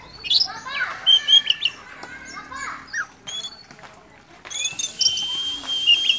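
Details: Oriental magpie-robin singing and chattering while spreading its tail: a rich, fast mix of sweet whistles, short slurred notes and harsh chatters, then sustained high, ringing whistled notes with scratchy overtones.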